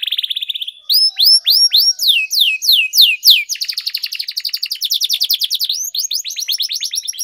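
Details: Canary singing training, long rolling kenari gacor song: a fast trill, a run of loud whistled descending swoops, then a long, very rapid rolling trill.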